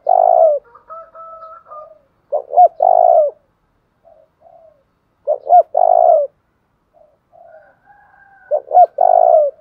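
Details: {'text': 'Spotted dove used for luring and training decoy birds, giving low cooing phrases: a short soft note followed by two or three stronger rolled coos, the phrase repeated about every three seconds.'}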